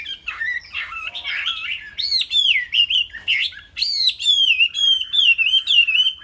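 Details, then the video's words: Caged Chinese hwamei delivering a strong whistled song: warbling opening notes, then a series of loud looping whistles repeated about twice a second, bright and clear. "Chim Họa Mi"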